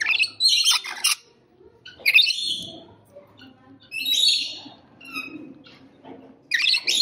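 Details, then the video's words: Rainbow lorikeet giving raucous, rasping screeches in clustered bursts, with gaps of quieter chatter and a faint low background between the outbursts. "Rainbow Lorikeet Bird Sound"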